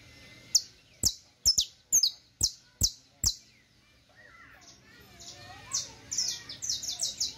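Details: Saffron finch song meant for teaching: a series of sharp, emphatic downslurred chirps, then softer twittering that builds into a fast run of high sliding notes.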